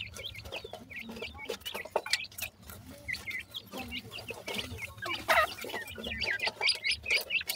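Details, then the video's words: Grey francolin chicks giving many short, high peeping notes, some sliding down in pitch, scattered irregularly among frequent sharp clicks and rustling handling noise. "grey francolin chicks speech,sweet voice of a baby pheasant"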